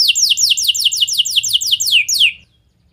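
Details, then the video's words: Canary song used to lure other canaries into singing: a bright run of descending, slurred whistles at roughly five per second, stopping abruptly and followed by silence. "Kenari Kondisi Apapun Pasti Nyaut! Ampuh Buat Memancing Kenari Lain, Langsung Gacor"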